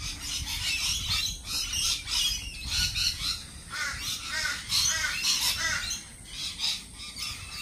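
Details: A flock of lorikeets at a cafe screeches continuously, harsh buzzy squawks rising and falling in rapid overlapping pulses over nearly eight seconds, with low background rumble.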